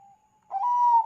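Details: Zebra dove of the Bangkok type, a lively singer, played to lure other zebra doves into calling: a soft, steady low note fades out, then after a short gap comes a loud, mellow, sustained coo that rises slightly.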